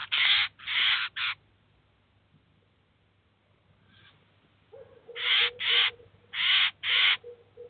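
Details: Eurasian jay and its chicks at a cheese feeder in 2019: three quick hoarse screeches, a pause of over two seconds, then another run of rasping bursts in pairs over a faint, steady lower tone.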